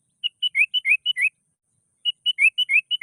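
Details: Sooty-headed bulbul, agitated and challenging a rival, giving two quick bursts of clear paired chirps, a level note followed by a downslurred one, about six notes per burst separated by a short pause.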